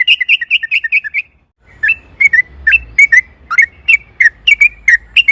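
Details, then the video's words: Sooty-headed bulbul singing to draw another bulbul into song: a quick trill of repeated notes, a pause, then a series of clear, slurred whistles spaced a fraction of a second apart. "trucukan gacor ROPEL PANJANG AMPUH pancingan TRUCUKAN AGAR BUNYI"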